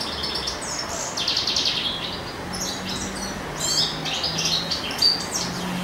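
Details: Male European goldfinch singing in spring, said to be seeking a mate: bright, tinkling high twitters and buzzy trills tumbling in rapid irregular phrases, with a faint low steady hum beneath.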